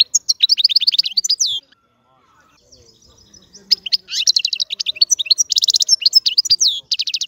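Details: European goldfinch singing a rapid, liquid twittering song of high trills and tinkling notes, a short pause, then a renewed run of buzzy trills and quick chirps.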